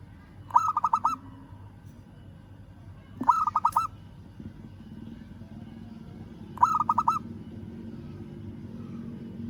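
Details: Local zebra dove calling to a rival: three bursts of rapid, pulsed coos around mid pitch, each a stuttering run of four or five notes, spaced about three seconds apart over a low background hum.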